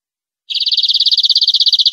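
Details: Rapid, even, buzzy trill of a European greenfinch, from a clean 2020/2021 tutor recording for educating captive birds, starting after a brief silence with no background noise.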